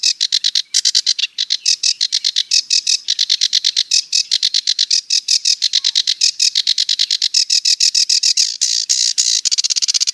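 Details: Sedge warbler song: a long, unbroken stream of harsh, rapid chattering notes, many short buzzy bursts packed closely together, with slight shifts in pace and tone over ten seconds.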